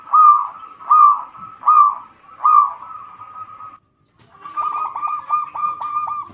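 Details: Local zebra dove song used as a lure to stimulate other birds: mid-pitched, rolling cooing phrases repeated about every 0.8 seconds, then after a brief pause a faster, stuttering run of trilled coos.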